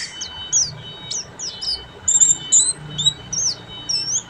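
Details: Oriental white-eye (pleci buxtomi) singing in ngeriwik style: quick bursts of high, sharply sweeping whistled notes and short trills, delivered in lively chattering phrases over a faint constant hum.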